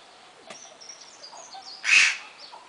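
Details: A white carrion crow in Walsrode, Germany, gives a single loud, harsh, raspy caw lasting about a quarter second, with faint thin high whistles from other small birds.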